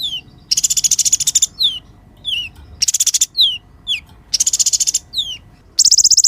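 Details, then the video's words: A sunbird singing hard, used to tutor sunbirds that have stopped singing: buzzy rapid trills separated by several thin, downward-slurred whistles, ending on another fast trill. "KOLIBRI GACOR UNTUK MASTERAN KOLIBRI MACET DAN BURUNG KICAUAN"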